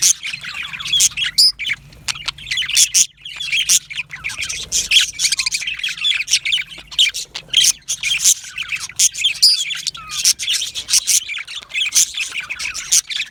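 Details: Yellow male budgerigars, a flock in an aviary, calling in loud bursts: harsh squawks and sharp chirps pulse on and off between quieter warbling chatter.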